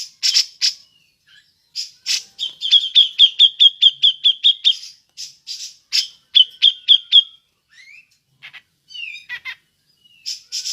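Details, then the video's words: Grey-cheeked bulbul ngepik calling, good for luring other birds: harsh bursts, then about ten evenly spaced clear high notes, more rasping notes and a short repeated run, then soft sliding whistles and chips. "Burung cucak jenggot ngepik cocok untuk pancingan"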